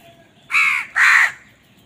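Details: During a fight over food, a crow utters two strong, grating caws back to back, the second slightly longer and falling at its end.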